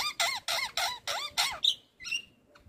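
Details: Javan myna (white-eyed jalak kebo) lure song played to prompt reluctant mynas to sing: five quick squeaky arched notes in a row, then two thin high whistles fading into quiet.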